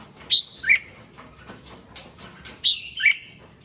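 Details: Red-whiskered bulbul song, played to rouse other bulbuls: two loud, clear whistled phrases, each sliding down from high to mid pitch. They are separated by fainter chirps and a quiet background.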